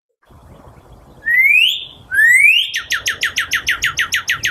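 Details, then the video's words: Northern Cardinal song: two loud, clear upslurred whistles, then a quick run of about a dozen sharp, downslurred notes, roughly three per second, over faint room hum. "so here we have the cardinal let me play the cardinal sound"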